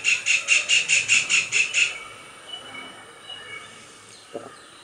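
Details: A kingfisher calling during its song-and-dance display gives a rapid series of about nine sharp, high, piping notes, roughly four per second, over two seconds, then falls quiet amid faint background hiss.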